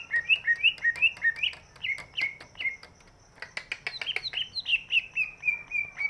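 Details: Large-bodied greater green leafbird used as a lure to get birds that are reluctant to sing to start singing. It gives a rapid series of clear whistled notes, each slurring up and down, with sharp clicks scattered through the phrase.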